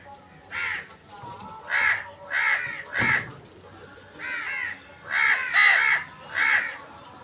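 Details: Harsh, rasping crow caws, about eight of them in loose pairs and singles with short pauses between, plus a brief thump midway and low background noise.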